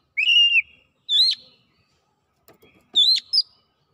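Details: Oriental magpie-robin giving a few separate phrases: a level whistle, then sharp upswept whistled notes, with soft clicks in the pause between them.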